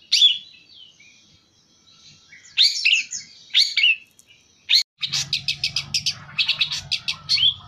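Long-tailed shrike giving scratchy, varied high notes, then a rapid run of about eleven sharp, buzzy chips, with a low electrical hum underneath.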